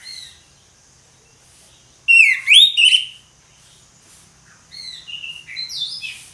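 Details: Orange-headed thrush singing in the loud ngeplong style: a burst of rich, rapidly warbled whistles with sliding notes around two seconds in, then a softer run of scratchy, higher phrases near the end, quiet between.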